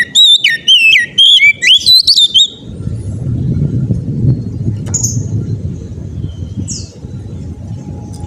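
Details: Oriental magpie-robin in lively, persistent song, meant to set other magpie-robins singing. Loud, varied whistled phrases of sharp rising and falling notes run for about two seconds, then low rumbling background noise with a few faint high chirps.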